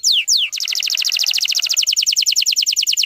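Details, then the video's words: Canary singing a tight, rapid-fire song meant to prompt young canaries to sing: two steep downward whistles, then a fast, even run of bright, high repeated notes. "PANCINGAN KENARI BAHAN TEMBAKAN RAPAT"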